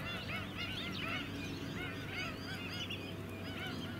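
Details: White-headed Stilt flock on mudflats at Scarborough, Queensland, in July 2017: a dense chorus of overlapping nasal, arched yapping calls, many birds calling at once without pause, over a steady low engine hum.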